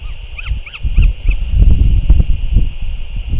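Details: Northern royal albatross, 6 April 2024, during a parent's return to feed its chick: four quick, arched notes open the recording, then only buffeting wind and constant hiss remain.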